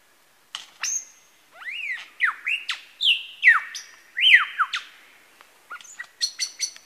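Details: Kinglake National Park lyrebird, a male at Masons Falls, mimicking various birds: a run of loud downslurred whistles roughly every half second, ending in high tinkling repeated notes.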